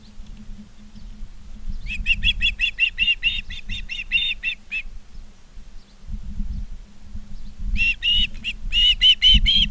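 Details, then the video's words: Osprey at a live-camera nest in Charlo, Montana, on 19 August 2023 at 16:05: two bursts of rapid, high, whistled chirps, each a string of about ten short notes, over a steady low rumble. "Charlo Montana Ospreys"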